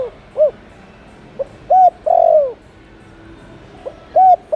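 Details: Spotted dove coo used to attract wild doves; one phrase with a short coo and a long falling coo, followed by the start of another, over quiet background.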